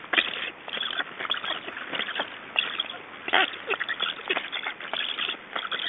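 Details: At an Estonian nest on 9 July 2012, black storks feeding chicks produce rough, wheezy rasping and sharp clattering knocks in uneven bursts, with louder peaks near the start and middle.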